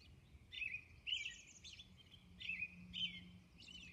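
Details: Robin singing at dawn on Orcas Island: short, bright warbled phrases given in pairs, about four phrases in four seconds with brief pauses between, over a faint steady low hum.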